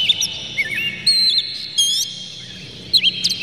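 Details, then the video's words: Oriental magpie-robin, agitated with tail spread, used to provoke other magpie-robins; bright whistled phrases with quick rising and falling slurs, broken by short pauses, plus a faint low hum. "dijamin kacer langsung ngamuk2 dengar kacer ini bongkar emosi buka ekor ngobra full isian"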